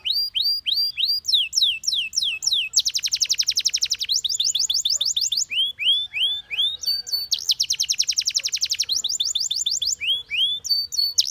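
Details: Long canary song alternating bouncy sweeping whistles with two bursts of dense, fast, buzzing trills, the phrases repeating in a similar order.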